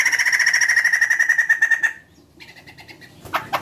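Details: Lively white-crested laughingthrush song meant to coax other birds to sing, opening with a rapid, even chatter of repeated notes for about two seconds, a short pause, then softer scattered notes and two louder squawks.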